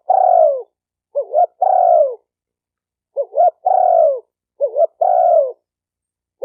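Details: Repeated cooing of a spotted dove, used to train a newly caught bird: long falling coos, each introduced by two short upswept notes, in three-part phrases with brief gaps. No other noise.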